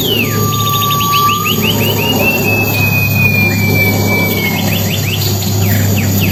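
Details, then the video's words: Silver-eared mesia singing in the wild, for luring: a low steady whistle followed by rapid runs of falling notes and a long sliding whistle, set against a strong continuous hum. "burung alam liar pipi pirak pemikat"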